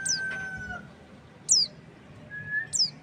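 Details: Pleci, or white-eye, gives three brief, high, steeply falling chirps spaced over a second apart, while a longer level whistle from another bird sounds at the start and again near the end.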